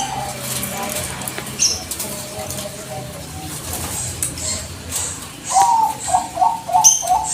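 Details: Bangkok zebra dove used as a lure call to provoke answering birds, cooing after quiet and faint murmurs: a rapid run of about six short, clear coo notes near the end, with thin high chirps from other birds.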